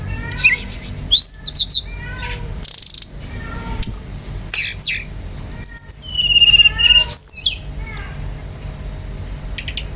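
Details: Brown-chested jungle flycatcher in lively song, used as a lure to get other birds singing: bright whistled notes, some sliding steeply upward or downward, with rapid chattery bursts and short pauses between phrases.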